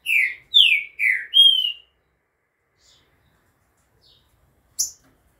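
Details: Green-winged saltator singing at 2:30 in the afternoon on 11 September; four loud, rich slurred whistles, mostly descending, then silence and one short high note.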